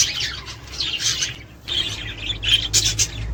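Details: Australian budgerigar warbling meant to spur courtship, breeding and egg laying; raspy chattering phrase, a short lull, then renewed scratchy twitters ending in bright sharp squeaks.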